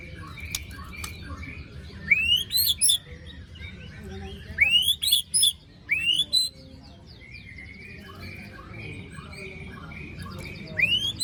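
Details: White-rumped shama singing harsh besetan phrases, a lure for birds silent after moult: rising whistles each tipped with grating rasps, bunched in two groups midway and one more at the end, with faint chatter between.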